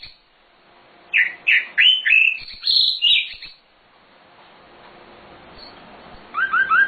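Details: Nightingale (sikatan londo) in a master song for training birds: a few spaced downslurred chirps building into higher rapid warbles, a quiet gap, then a soft repeated pattern of paired notes.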